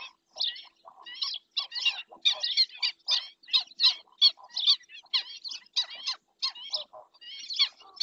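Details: Dense chattering from black-winged stilts at Doñana National Park, Spain: a near-continuous run of clipped, nasal kek notes over eight seconds, loud and steady with only brief pauses.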